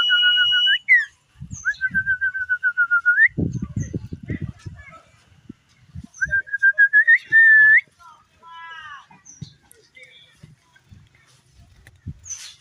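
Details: Tame common iora in full song: clear whistled phrases of quick repeated notes, each phrase ending in a rising upslur, with pauses between and soft low thumps in the background.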